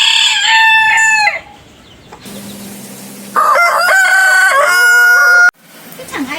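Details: Rooster crowing, one of a compilation of different roosters each with its own crow: a harsh, harmonic-rich crow with a short rising start and a long held middle, then a pause and a second long, flat, strongly banded crow.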